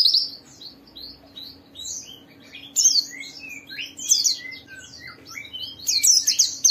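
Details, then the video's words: White-eye (pleci) song heard as scattered high, slurred chirps and whistles that grow denser and louder toward the end, with a constant low hum behind. "Suara burung Pleci ini Ampuh memicu semua Pleci cepat Buka Paruh dan gacor"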